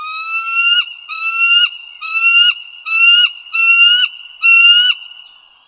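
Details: Bald eagle at Dulles Greenway in northern Virginia, 16 April 2022 at 08:55: six drawn-out, slightly rising whistled notes with rich harmonics, each about half a second, repeated roughly every second, over a faint steady tone.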